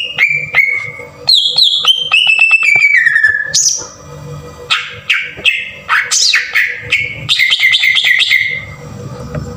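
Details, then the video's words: Green leafbird in a rough-burst 'tembakan kasar' lure recording used to provoke other leafbirds into singing: sharp whistled notes falling in stepped runs, quick clicks and buzzy high flourishes, with a steady low hum throughout. "PANCINGAN PENDONGKRAK EMOSI CUCAK IJO TEMBAKAN KASAR"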